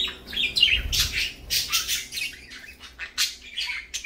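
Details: Morning chatter from parakeets: raspy squawks and bright chirps in quick clusters, loudest in the opening half, then thinner, spaced notes.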